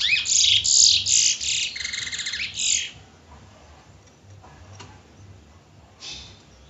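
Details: Bullfinch from Trinidad singing a loud, rapid run of bright, chattering, high notes for about three seconds, then falling quiet apart from a couple of faint distant chirps.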